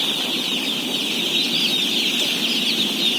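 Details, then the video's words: Day-old chicks in a house of 17,000 at feeding time, a dense continuous chorus of high peeping, many overlapping chirps blending into a steady shrill band with no pauses. "BABY CHICKEN SOUNDS"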